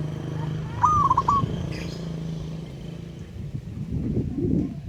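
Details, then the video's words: Local wild zebra dove calling a rival: a single soft coo, a drawn note slurring into three quick pulsed beats, heard once over a steady low hum and rumbling background noise. "Burung Perkutut LOKAL Alam Ngayer Memanggil Lawan Ikutan Manggung Gacor"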